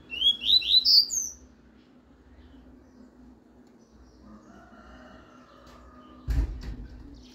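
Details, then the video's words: Double-collared seedeater singing the classic 'Tuí-Tuí' song for teaching young birds, a quick run of about five high, bright whistled notes, then silence over a low hum, ending with a dull knock. "Canto Tuí-Tuí Clássico de Coleiro"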